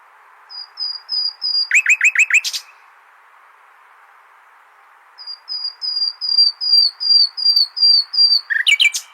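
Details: Common nightingale song used for tutoring goldfinches: a slow run of pure high whistles, then a burst of rapid rising notes, a long pause, another whistle series ending in a sharp trill.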